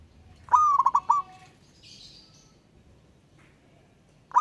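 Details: Zebra dove of local wild stock calling out to a rival: one full rolling coo, a long whistled note then a burst of short stuttering notes, a brief high chirp from another bird, and the next phrase starting at the end.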